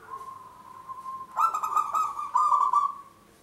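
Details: A local zebra dove, used as a trapping lure for its strong singing, starts with a soft steady hum, then breaks into a loud bubbling, purring coo that swells twice before fading.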